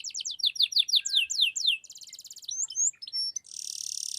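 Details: Atlantic canary singing to stir quiet birds into song and for tutoring: a series of sweeping downward slurred notes, then a buzzy rattle, scattered clear whistles, and a harsh continuous buzzing trill at the end.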